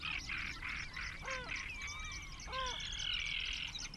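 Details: Among some twenty great crested grebes nesting near one another, 21 June 2024: flat nasal notes, each rising briefly at the start, given twice, set against constant high, busy twittering from other birds.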